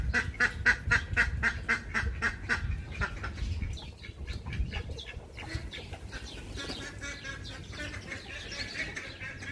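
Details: Duck calls in a fast, even series of clipped quacks, about four a second, that fade after several seconds into softer, scattered calls over low rumbling noise.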